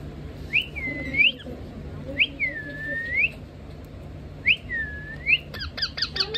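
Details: Pet rose-ringed parakeet from India, kept as a talking bird, giving three clear whistled swoops, each rising sharply, dipping, then rising again, spaced about two seconds apart, followed by a quick burst of short high chirps.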